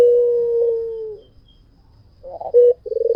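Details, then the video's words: White dove, a puter kept for vigorous singing, giving one long steady low coo that fades out, then a pause and a few short, rough, pulsed coo phrases. "SUARA PUTER PUTIH FULL GACOR"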